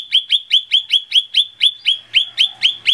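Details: Lesser green leafbird song used to coax birds into singing: a steady series of about thirteen sharp, ringing notes, roughly four each second, loud and evenly spaced.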